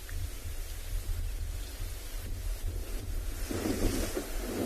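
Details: Wind buffeting a microphone with deep rumbling gusts and a hiss that rises near the end, and no animal calls.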